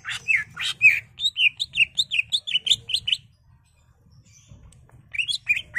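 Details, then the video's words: Excited, agitated greater green leafbird in full song, showing off its repertoire, used as a lure to provoke other caged birds into singing: bright whistled and chirping notes delivered fast and varied, a pause, then a renewed burst, faint low rumble beneath. "CUCAK IJO GACOR EMOSI BONGKAR ISIAN NGENTROK/ PANCINGAN CUCAK IJO BIAR EMOSI"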